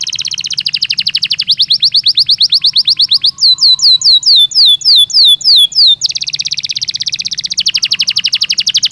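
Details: Belgian canary singing naturally, a long varied song of rapid repeated notes: fast trills, then a series of loud descending whistled sweeps, then buzzy rattling trills, all high-pitched and continuous.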